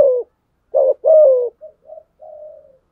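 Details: Rival-challenging coo of a spotted dove used to excite wild males. Two rough, husky coos, then soft short murmurs and a faint, level, drawn-out coo fading away.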